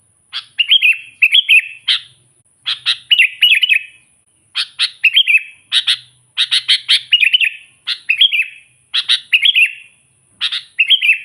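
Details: Sooty-headed bulbul singing to call and provoke wild bulbuls: short bubbly chirping phrases, each opening with a sharp note then a quick warbled run, repeated in bursts about every second with brief pauses.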